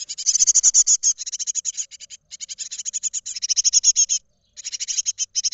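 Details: Great tit nestlings in a nest box in Israel, close to fledging, filmed 31 March 2021 by an unlit camera: rapid high chittering begging notes in dense bursts, several chicks overlapping, with short pauses between runs.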